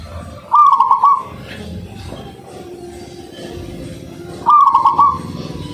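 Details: Local zebra dove, used to lure other doves into singing, gives a clear rolling trilled coo, two phrases about four seconds apart, with low background noise between.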